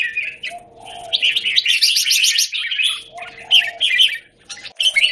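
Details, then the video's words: Red-whiskered bulbul singing from a square cage, 17 January 2019: a rapid pulsed trill of repeated chirps followed by slurred whistled phrases, with a steady faint tone underneath. "Jambul - WingChun mastery of the square cage"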